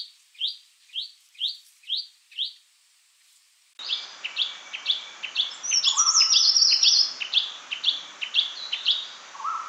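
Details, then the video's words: Shrike-babbler giving a steady series of crisp, evenly spaced whistled notes about twice a second, then after an abrupt cut, more of the same notes over a hissy background, with occasional lower sustained whistles. "Tiếng chim Khướu Shrike, Khướu mỏ quặp cánh vàng"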